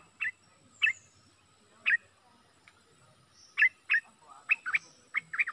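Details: Bulbul serving as a decoy bird gives spaced single chirps about a second apart, then speeds into a closer run of twittering double notes toward the end.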